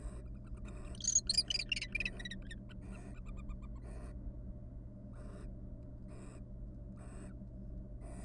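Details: Courting wild barn owls in a nest box after raising three nestlings: a loud, rapid chittering, twittering flurry of harsh notes, then softer, scattered hissy bursts at irregular intervals, with a constant low hum beneath.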